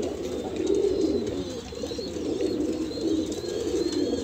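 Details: Low, continuous cooing from a group of Banarasi Kalsera pigeons held for sale in Allahabad, India. Soft rolling coos blend into one murmuring band, slightly stronger near the start and the end.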